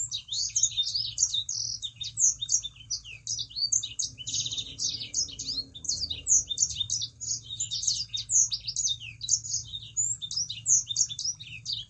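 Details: Lively song of a Sangihe shrike-thrush, meant as a lure so other birds join in: twelve seconds of continuous rapid high twittering, with tight trills and slurred chirps packed closely together, and a steady low hum in the background.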